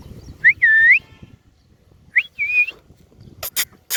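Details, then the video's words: Hand-tame green ringneck parrot perched on a cow, said to speak Urdu and Hindi; two shrill whistled phrases, each a quick rising note followed by a longer level tone, then a few sharp clicks and knocks. "Green Ringneck parrot sitting on cow 🐄 | handteam parrot | speaking in urdu and hindi"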